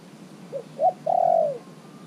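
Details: Caged spotted dove, kept three months, singing as a decoy to draw wild doves in: two short soft low coos followed by one long, steady, slightly falling coo lasting about half a second, in a quiet setting.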